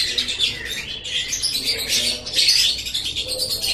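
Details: Lovebird chattering, called ngekek, played to make pet lovebirds chatter: a dense, harsh, high-pitched twittering that runs almost without a break, with short louder bursts near the middle and end.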